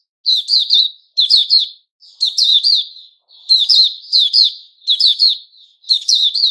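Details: Steady sequence of white-rumped shama phrases recorded 29 August 2021, each a tight group of two or three harsh, ringing notes repeated about once a second.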